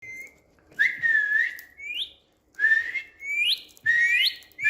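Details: Green Indian ringneck parakeet, kept as a pet, whistling on a bed: clear, pure whistled notes, each held steady then sweeping upward into a higher squeaky tone, repeated in about three phrases with short pauses, over a quiet indoor background.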